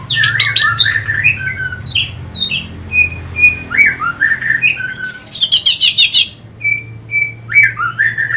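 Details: Orange-headed thrush song played to stimulate fighter birds: a rich, varied outpouring of sliding whistles, harsh squeaky notes and rapid chattering bursts, broken by short steady whistled tones.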